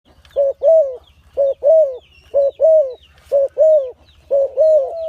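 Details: A dove gives soft, low two-part coos in the morning, a short note and then a longer one, about once a second, with faint chirps from other birds and a low hum behind.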